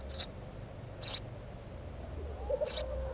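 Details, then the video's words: House sparrow near a nest giving three short, high chirps with gaps of about one and a half seconds, with faint low rumbling behind. "Воробей домовый"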